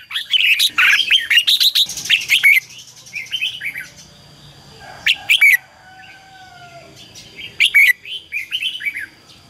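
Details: Red-whiskered bulbul pouring out a dense, chattering decoy song to provoke wild birds, then sharp clicks, a pause with two soft low whistled slurs, and a final cluster of bright chirps.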